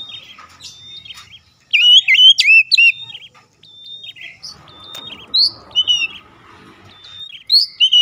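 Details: Oriental magpie-robin singing as a lure to provoke other magpie-robins into song: loud clear whistled phrases with slurred downward and upturned notes in bursts separated by pauses, plus a faint low background hum.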